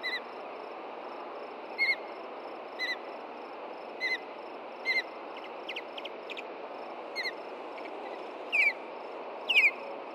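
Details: Osprey pair at a nest in Hellgate Canyon, Montana, on June 2, 2014, calling in alarm after dark as an intruding juvenile upsets them; short high whistled chirps in brief bursts roughly every second, over steady hiss.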